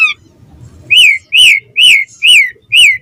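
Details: Asian pied starling singing in the morning as a lure for other starlings. Five loud, clear whistles, each rising then falling, evenly spaced about half a second apart, over faint low background rumble.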